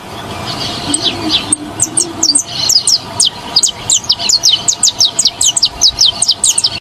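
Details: Saffron finch (canário-da-terra), presented as one of Brazil's most beautiful songsters: rapid, bright, high chirped notes repeated in quick bursts that grow denser and continue throughout, with a brief spoken voice near the start.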